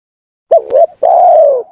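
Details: Spotted dove lure call used to provoke rival doves into coming down: a short broken two-part coo followed by a long, drawn-out low coo that slowly falls at the end.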